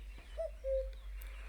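Common Cuckoo giving its familiar two-note 'cu-coo', a short higher note dropping to a longer, lower, hollow one; a low hum underneath.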